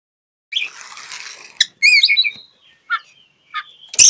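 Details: Oriental magpie-robin (kacer) singing while seeking a rival, a bait song for quiet birds: a buzzy rasping phrase, then bright warbled notes and sharp chips, with scratchy downslurred notes spaced about a second apart.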